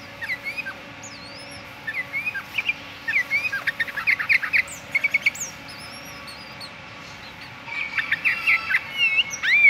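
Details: Sooty-headed bulbul in lively morning song: loud bursts of clear, twisting whistles and rapid chirps, broken by short pauses, ending in a dense run of sharp repeated notes.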